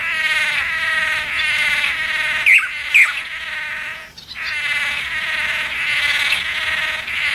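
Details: Loud buzzy, nasal calls from blue manakins performing a mating ritual in forest. The calls come in long rapid bursts, broken by two sharp high notes and a short pause near the middle.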